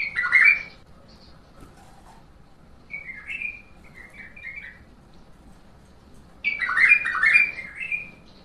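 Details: Bulbul singing in the prized Mandali and Badra styles of Iraq: two loud bursts of rich, warbling whistled phrases, with a softer rising-falling whistled phrase in between and quiet gaps.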